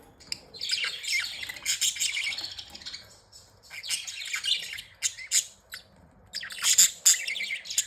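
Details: Budgerigars, happy and playing, give a steady buzzy warble of fast chirps and squeaks, falling quiet briefly before resuming in sharper bursts.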